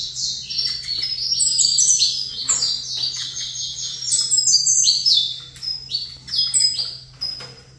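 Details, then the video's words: Almost continuous saffron finch singing: overlapping high downslurred chirps in quick succession, tapering to scattered notes near the end. The singer is set face to face with another saffron finch. A steady low hum is present. "Canto Canário da Terra Colômbia COT"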